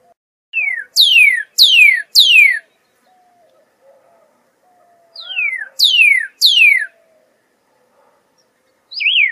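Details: Pyrrhuloxia whistling clear down-slurred notes in groups of three or four, each sweeping steeply downward, with pauses between groups and a faint low warbling sound in the background.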